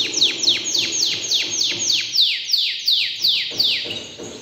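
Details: Singing canary in an excited state delivering a rhythmic series of loud downward-sliding notes, roughly four each second, evenly spaced and bright throughout.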